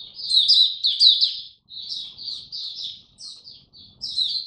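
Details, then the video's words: Mata puteh (Oriental white-eye) in a cage, displaying in song on 26 November 2022: chattering high notes tumbling in quick clusters, easing briefly, then starting again. "Mata Puteh Buka Sing Raja"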